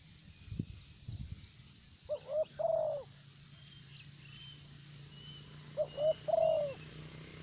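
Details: Caged spotted dove kept as a decoy in Vietnam, of the preferred 'thổ bầu' voice type, gives two mellow coo phrases, each two short notes then a long drawn-out coo, over low background rumble and faint distant chirps.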